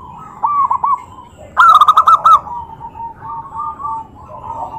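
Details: A zebra dove gives a call said to rouse other doves to reply. Softer clipped coos lead into a loud, rapid rolling burst, then fainter, evenly pitched cooing continues to the end.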